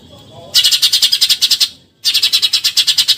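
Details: Eurasian tree sparrow delivering 'tembakan nyerecet' bursts for training songbirds: two loud volleys of rapid, rasping chirps, about fifteen per second, split by a short silence.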